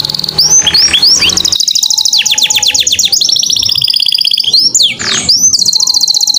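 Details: Canary singing to prompt other canaries: bright whistled notes and long, fast high trills of rapidly repeated notes, with rising swoops between phrases.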